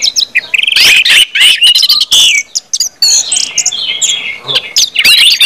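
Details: Orange-headed thrush 'ngeplong' song, used to stimulate other birds: energetic mix of harsh rasping bursts, clipped chips and slurred whistles, pouring out almost without pause.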